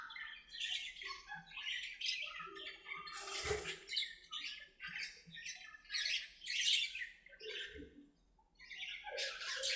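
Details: Budgerigars in an aviary, playing and talking to each other: dense overlapping chatter of scratchy squawks, short warbles and rapid chirps from several birds, with no pauses across the whole stretch.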